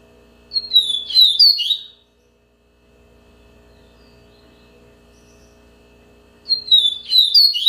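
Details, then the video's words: Yellow-bellied seedeater singing two bursts of high, sweet, twittering whistles, each about one and a half seconds long, separated by several seconds of quiet with a low background hum. "Yellow-bellied seedeater song"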